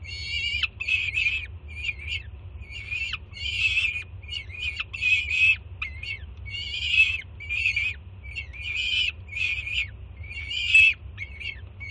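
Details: Jersey City peregrine falcon youngster screaming with excitement at its mother's arrival with food on a June morning; a long series of loud, raspy, high screams in uneven bursts, some clipped short, over a steady low rumble.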